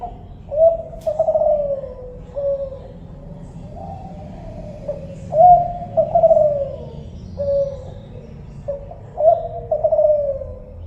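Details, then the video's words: Spotted dove of the Kelantan type giving low, mellow coos, phrased in groups of two or three notes that slide slightly downward, repeated several times with short pauses, over a faint low background hum. "suara burung tekukur kelantan"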